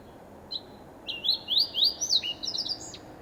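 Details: A Fox Sparrow of the red northern subspecies, from central Alaska or Newfoundland, sings a brief opening note, then a quick run of bright, sliding whistles and buzzy trills, ending on a clear downslurred note.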